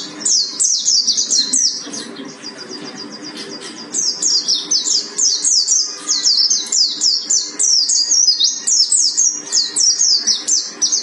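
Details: Mountain white-eye, Buxton's form from Mount Karang, singing a fast, high chattering song of rapid down-slurred notes, repeated in long bursts with a brief pause near two seconds; faint hum in the background.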